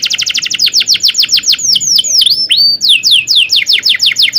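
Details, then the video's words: Canary singing a long tutor song for training young canaries: rapid descending whistled trill slowing into deeper swooping notes, then resuming a brisk repeated series of falling whistles. "kenari gacor panjang cuit cuit ngerol ini ampuh buat PANCINGAN KENARI paud belajar bunyi"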